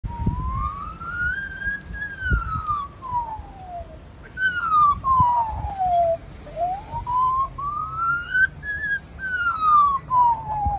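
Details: An Australian magpie in Newcastle, NSW, which learned fire engine and ambulance sirens, mimics an ambulance siren: a clear whistled wail sweeping slowly up and down, each rise or fall about two seconds, over faint low rumble.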